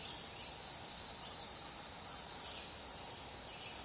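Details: Fledged barred owlet about a week out of the nest, with a parent tearing up prey to feed it: a drawn-out, hissing screech arching high and falling over about a second, against a steady insect drone.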